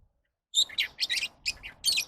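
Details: Lovebird calling in a rapid series of shrill, harsh chirps and squeaks, bursts clustered over about a second and a half after a brief silence.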